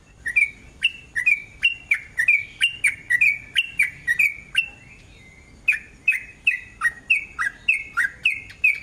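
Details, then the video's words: Sooty-headed bulbul singing a long rapid 'ropel' song used as a lure to make other bulbuls sing: a fast run of bright chirped notes, each sliding down, repeated about twice a second with a brief pause midway. "TRUCUK GACOR ROPEL PANJANG, pancingan trucuk agar BUNYI jadikan burung trucukan BUNYI ROPEL"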